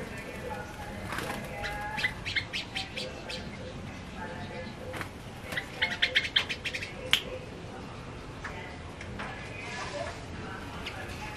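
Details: Actively singing tame male yellow-vented bulbul gives clusters of rapid, sharp chirps, loudest in a lively run near the middle, with a faint voice and background hiss.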